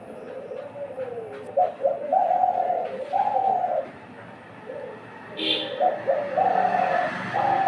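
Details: Two captive decoy doves in Bangladesh calling in turn, a calling contest where one starts as the other stops: low, hoarse, drawn-out cooing phrases, each with a steady held note and short stuttered notes between them, plus a brief higher squeak midway.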